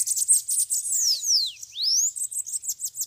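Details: Several bananaquits (sibite) at a trapping cage give shrill, crowded twittering with long descending and rising whistled slurs crossing each other in the middle.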